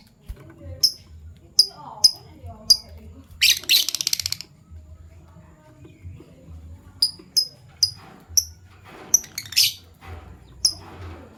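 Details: Fischer's lovebirds, violet and gold opaline colour forms, chirp in the morning: regular sharp high chirps, a short rattling buzzy burst, then more clipped chirps in pairs and threes, with faint twittering between.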